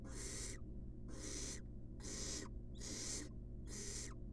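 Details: Wild barn owl chick in a monitored nest box, being fed a rat: harsh hissing screeches repeated roughly once a second, five broad noisy bursts over a steady low hum.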